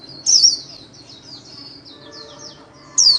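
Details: White-eye song, a caged bird trained daily: thin, very high twittering phrases sliding downward, with louder bright bursts at the start and end of a short stretch of continuous warbling.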